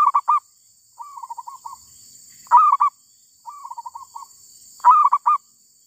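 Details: Wild female zebra dove, recorded while luring wild birds. Each phrase opens with a loud, stuttering cluster of coos, then a softer rapid trill of rolling coos. The pattern repeats about every two and a half seconds, with a steady high hiss behind.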